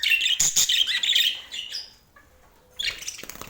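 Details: Pet budgerigar in Portland giving a quick run of sharp squeaky chirps and twitters, then a pause of about a second and a half before a fresh burst of chatter.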